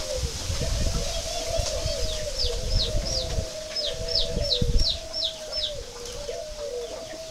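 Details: Spotted dove, pink-necked northern type, kept in northern Vietnam, cooing in a low, steady, wavering phrase repeated throughout, with thin high twittering of small birds and low rumbling noise behind.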